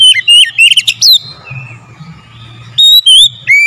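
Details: Oriental magpie-robin singing, used as a lure to stir other birds into song. It opens with rapid, sharply modulated whistles and warbles. After a quieter pause with a low hum, loud whistled notes return, each sliding or wavering.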